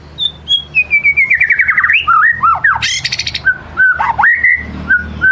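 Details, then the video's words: White-rumped shama in soft ngelemak singing, used as a lure to draw out another shama's full repertoire: clear sliding whistles, a descending run of chirps, a brief buzzy burst, then rising and falling whistled phrases over a low background hum. "Kicau murai batu ngelemak | pancing murai batu bongkar isian"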